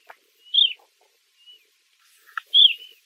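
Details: Eastern Clapper Lark giving two loud, short, down-slurred whistles about two seconds apart, with a faint thin whistle between them and a brief soft knock before the second; otherwise quiet.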